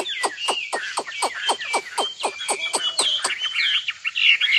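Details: Nightingale singing a fast series of hard, clicking notes, about four per second, over a thin background of higher twittering phrases.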